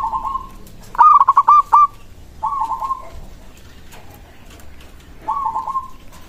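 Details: Local zebra dove singing a song meant to draw replies from other doves: a stuttering burst of quick clipped coos that run into a drawn-out trailing note, followed by quieter similar phrases with some faint background noise.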